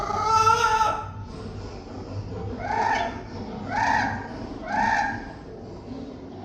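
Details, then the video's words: A pet parrot makes loud, nasal honking calls, one long cry followed by three shorter hoarse honks roughly a second apart, against a low steady hum. "My Parrot Rudy Making Intriguing And Funny Sounds!"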